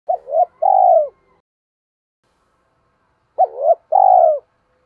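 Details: Spotted dove kept as a decoy bird, calling to lure others: two cooing phrases about three seconds apart, each a short hooked note and a long, husky, slightly falling coo, with silence between.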